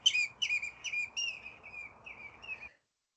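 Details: Common redshank at Mongan Bog, Co Offaly, Ireland, a breeding-wader site, giving a run of about seven clear, ringing whistled notes, each dropping slightly in pitch, roughly every third of a second.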